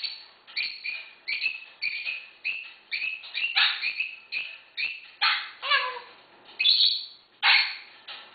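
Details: A female African grey parrot that lives with six dogs barks like a dog: a steady run of short, harsh, husky yaps, roughly two a second, a few breaking into squawky notes; recorded 8 August 2011.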